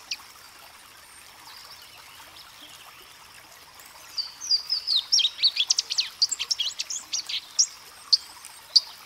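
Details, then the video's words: A Louisiana waterthrush sings a quick, high burst of slurred, downward notes breaking into a jumbled twitter, then a few spaced chips over a soft background hiss. "Louisiana Waterthrush Song"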